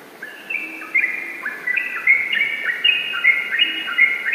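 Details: Yellow-vented bulbul song begins quietly, then builds into quick, chattering whistled phrases that repeat at an uneven pace in the rapid ropel style.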